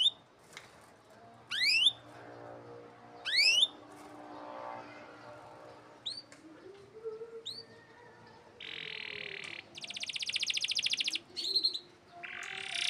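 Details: A canary sings sharp sweeping chirps, then breaks into long, fast, buzzy rolling trills; a recording used as a tutor and lure to get young canaries singing.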